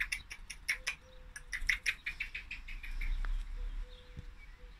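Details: Female common blackbird rattling off a quick series of hard chinking ticks, fading after a few seconds as a low rumbling noise rises and a couple of knocks sound.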